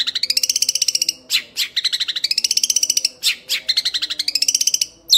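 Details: Rapid rasping chatter of a young Long-tailed Shrike, the long ngekek call, in rising runs of quick pulses interrupted by a few louder, harsher single notes.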